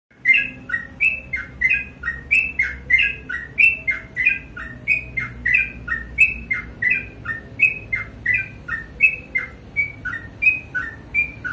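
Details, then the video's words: Sooty-headed bulbul singing energetically in the morning: bright whistled two-note phrases, a higher note dropping to a lower one, repeated steadily about every half second for the whole stretch, over a faint low background hum. "BURUNG TRUCUK GACOR DI PAGI HARI"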